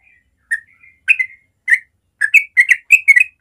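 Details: Yellow-vented Bulbul giving natural morning ropel song for young birds to copy: scattered slurred whistles that speed up into a dense, bubbling burst of chirpy notes toward the end.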